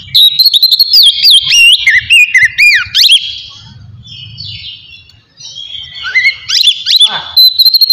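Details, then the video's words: Oriental magpie-robin (kacer) in easygoing full song, played to rouse emotion and breeding drive in other magpie-robins: fast whistles and twisting trills, a brief lull midway with faint low murmur, then renewed sweeping notes. "TERAPI AWAL KACER NGEPLONG SANTAI COCOK BUAT MANCING EMOSI DAN BIRAHI AGAR KACER CEPAT GACOR"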